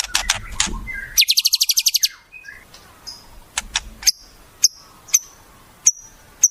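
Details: White-rumped shama mimicking wild birds: scratchy notes, a rapid rattle of about ten pulses, then sparse sharp high chips spaced roughly half a second apart.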